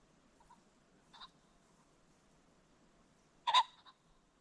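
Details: At sunset along a creek bottom, a ring-necked pheasant gives a loud, harsh double-noted squawk late on, after one fainter call and a quiet lull.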